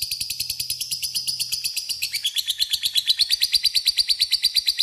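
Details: Long ngekek chatter from a lovebird, played to draw in a rival bird: rapid, regular high-pitched buzzy pulses that grow louder and steadier toward the end.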